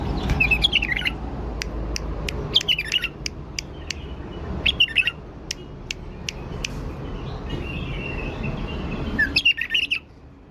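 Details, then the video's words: Tame male bulbul held in a wire cage in Baghdad, for sale, gives short bursts of clear warbling whistles separated by sharp clicks, over steady low background rumble. "بلبل فحل اليف قفص تغريد"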